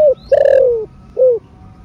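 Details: Spotted dove, 'thổ rền' style coo for stimulating caged birds: a short arched coo, a long mellow coo that gently descends, then a short final coo, steady and clear.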